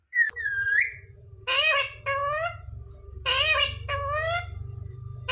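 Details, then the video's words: Talking mitthu parrot imitating "mummy papa": grating, nasal word-like phrases in three clusters, with a steady low hum underneath throughout. "Parrot talking mithu mithu 😱Mummy papa bolne wala mitthu"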